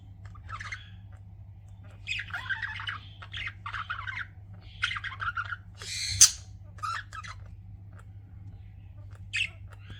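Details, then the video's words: Pet budgerigars chirping in an indoor setting, uttering rasping buzzy chatter in clustered phrases with one loud sharp squawk, scattered across the stretch over a soft steady hum. "CUTE PET BUDGIES CHIRPING"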